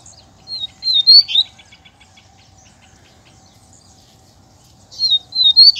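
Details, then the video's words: Double-collared seedeater singing in a contest with a loose wild male while out in the bush: short high warbled bursts at start and end, with faint rapid pulsed notes between and a long quiet spell. "Cantando e Disputando Com o Coleiro Solto!!!"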